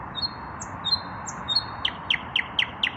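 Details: Common nightingale, an unpaired male, singing in the evening with puffed-up breast: clear high whistles followed by a series of five sharp descending notes repeated about every quarter second, over a steady low background hum.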